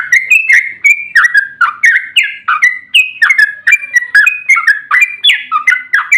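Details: Yellow-vented bulbul in long, energetic 'ropel panjang' song, used as a lure to make other bulbuls sing: a rapid, unbroken string of short bubbly whistled notes, each dipping or rising, about three per second.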